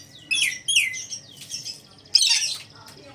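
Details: A pet Red lory gives four harsh, grating screeches in three seconds, some sliding downward in pitch, over faint background hiss.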